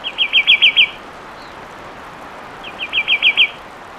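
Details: Fulvous wren singing two short bursts of rapid, evenly spaced whistles, about six notes each, with a quiet gap of nearly two seconds between them.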